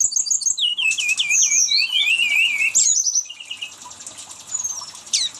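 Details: Brown-chested jungle flycatcher giving a rapid rolling song of looping whistled slurs and buzzy trills, fading into softer scattered high notes toward the end.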